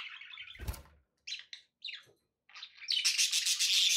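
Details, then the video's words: Budgies chirp in short, squeaky bursts. A thump is heard early on, then the birds break into a sustained, loud, buzzy warble. "budgie sounds with background noise for relaxation"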